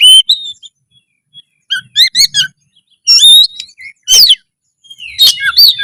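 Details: Loud kacer, the Oriental magpie-robin, singing to spark breeding urge and fighting readiness; short clusters of high sweet whistles and trills separated by brief silences, with a sharp upward-sweeping note near the end.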